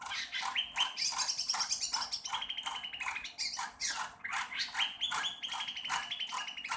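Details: Sooty-headed bulbul learning to sing: a busy run of scratchy, buzzy chatter with short whistled notes stepping down in pitch, delivered in quick uneven bursts over a faint background hiss.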